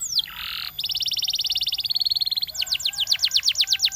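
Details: A champion canary's song opens with a falling whistle and a harsh buzzy burst, then runs a long, fast, even trill for nearly two seconds before breaking into a quick series of descending whistled sweeps.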